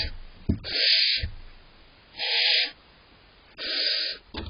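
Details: Barn owl owlets in a nest box await prey from mum and dad, the bigger chick pushing for most of the food. Three rasping, hissy begging bursts, each about half a second long, are separated by quiet gaps with faint shuffling thumps.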